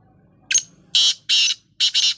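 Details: Dust-bathing black francolin with a rasping, buzzy call: short first note, two drawn-out grating bursts, then a paired burst, sharp and loud against a quiet background.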